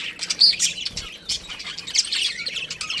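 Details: Pet budgerigars of a breeding pair give scratchy, squeaky chirps and a thin whistled note, chattering in uneven bursts.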